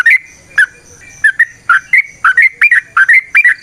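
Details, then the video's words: Yellow-vented bulbul giving long 'ropel' forest-style song meant as a lure for other bulbuls, with short fluty, bubbling notes tumbling in quick irregular succession and brief pauses between. "Trucukan GACOR ngalas ROPEL PANJANG suara alam AMPUH buat pancingan"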